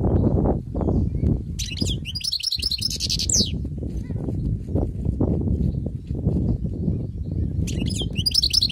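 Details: Wild-caught European goldfinch singing: two bursts of fast, high, tinkling twitters and trills, separated by a pause, over constant low rumbling background noise.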